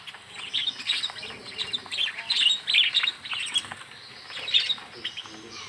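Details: Several budgerigars in a small aviary, fed by hand, produce continuous warbled chirping in rising and falling waves, high and scratchy, with faint rustling beneath.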